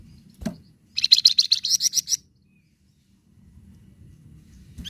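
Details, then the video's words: Flamboyan bird, a captive songbird. One quick burst of about ten high, sharp, clipped notes runs for just over a second, followed by quiet with low background rumble. "Suara Khas Burung Flamboyan"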